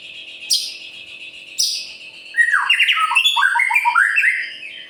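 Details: A white-rumped shama sings to provoke other birds into singing. Two sharp, high upward notes ring out over a steady thin tone, then a fast, rich, varied phrase of tumbling whistles and chattering notes follows.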